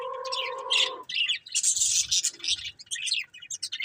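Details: Budgerigars from a colourful breeding pair: a short harmonic tone, then a fast stream of bright, scratchy, very high chirps and twitters.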